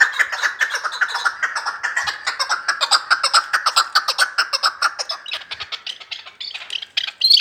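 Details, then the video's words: Chukar partridge of Vanj giving a long, rapid series of dry chucking notes that grows slightly faster and harsher toward the end. "Кабки Ванҷ"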